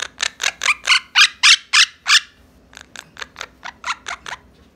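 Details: Two young pet monk (Quaker) parakeets pounce, bounce and bite each other in play, giving harsh, raspy squawks about three per second, loud at first and then a softer second series.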